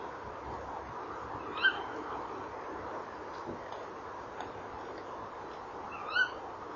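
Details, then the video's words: Tawny owl pair at a nest box, 18:17 on 19 November 2013, nest camera; male calls and trills, female answers. Two short, sharp calls about four and a half seconds apart over steady hiss. "Bosuil M roept en rolt V antwoordt M bij kast"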